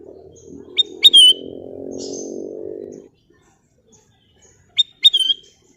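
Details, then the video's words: Golden bulbul (kutilang emas) giving brief, bright whistled phrases: a sharp upward flick into a sliding whistle near the start, repeated once more later; a low steady hum fills the first half, then near silence. "Siulan Cantik Burung Kutilang Emas"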